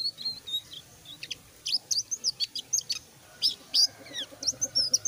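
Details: Selendang biru starting to sing in full voice: a rapid run of high, thin chirps and short sharp notes, some sliding, delivered in quick bursts with brief pauses between them.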